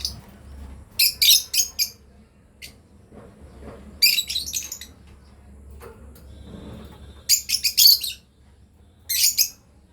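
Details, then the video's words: Breeding pair of lovebirds, apparently indoors: short bursts of harsh, high chirps in clusters of four to five, repeated roughly every three seconds with quiet gaps, over a low background hum. "Lovebirds chirping sound"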